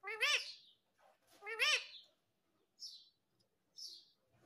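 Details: A talking parrot gives two loud, harmonic, arching calls about a second apart, then two short, high chirps.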